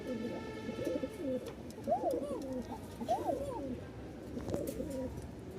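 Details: A pair of Bashiraj pigeons at a shop gives low, throaty rolling coos, rising and falling in repeated bursts. The birds seem frightened in the new place.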